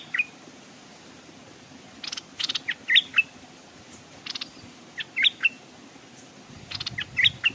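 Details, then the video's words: Decoy Stripe-throated bulbul hung by a stream while wild birds came close without landing. Short clusters of two or three clear, slurred whistles recur every couple of seconds, interspersed with soft rustling noises. "เสียงนกต่อดอกแตงEp.171แขวนนกต่อริมห้วยนกมาแต่ไม่กล้าลง(Stripe-throated Bulbul)"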